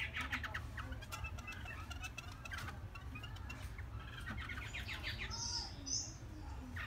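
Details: Three-month-old caged Chinese hwamei singing: bursts of quick chirped and trilled notes, then a pause, more rapid phrases and a pair of high clear whistles near the end, over a steady low hum.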